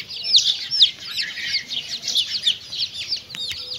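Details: Chicks with their mother hen during feeding, a cluster of shrill, falling peeps that grows sparser toward the end, with a sharp tap near the close.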